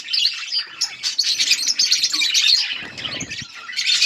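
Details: Many budgies chirp together while eating, producing quick, high, twittering warbles and short squeaks, with soft rustling or wing sounds around the third second.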